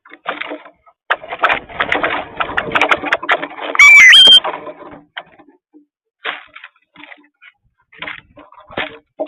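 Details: Cowbirds travelling in a huge flock, fifty or more crowding each garden feeder, make a rapid clattering chatter of clicks, with one high thin slurred whistle rising then falling midway, followed by scattered quieter bursts.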